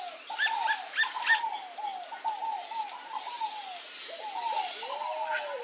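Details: Short, bowed calls from a male pale-crested woodpecker at papaya follow one another rapidly, after a brief harsh burst at the start; a longer falling note closes the run.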